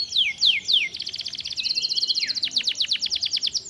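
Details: Canary singing a stimulating song: bright descending whistled sweeps, then a sustained trilled note and a fast run of repeated chirps, all high-pitched and loud.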